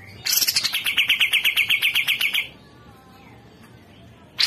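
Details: Cucak jenggot masteran: one two-second burst of quick, rhythmic, harsh chirping notes on a steady pitch, followed by quiet background and a faint note at the very end.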